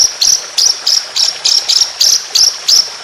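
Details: White-rumped shama training recording for bird contests in the 'tembakan panjang roll speed' style: short, high, buzzy bursts of clipped notes repeated roughly every third of a second over steady hiss.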